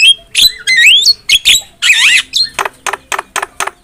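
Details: Javan myna (jalak kebo), a kept songbird, in a varied phrase of rising whistles and a wavering buzzy note, then a run of short, evenly spaced harsh clicks.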